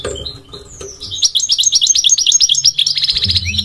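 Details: Goldfinch, called migratory, gives a few soft notes, then a rapid, sparkling run of tinkling syllables ending in a buzzy trill, over a low hum.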